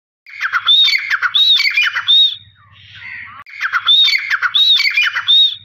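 Grey francolin giving loud, harsh, squawking phrases of rapid grating notes, two bursts separated by a short pause, with a faint low hum between.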